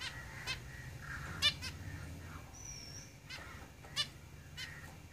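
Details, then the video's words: Zebra finches singing in a cage: a few spaced nasal toots, a brief high whistle, and quiet twittering over a low background hum. "Zebra Finches Singing in the cage"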